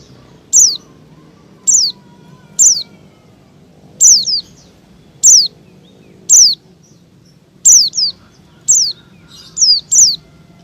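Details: High piercing white-eye notes, each a quick downward whistle, some doubled, repeating roughly once a second at uneven spacing over a steady low hum; used to draw in wild white-eyes and other small birds.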